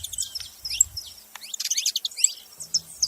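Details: Short, fairly quiet stretch of saffron finch calls: high, scratchy chirps and a few bright squeaky notes scattered irregularly, with soft low rumbling at the beginning and end.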